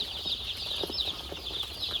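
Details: Cold chicks bunched in a box on a poultry farm produce continuous shrill cheeping, many voices overlapping, with soft rustles and a low hum in the background.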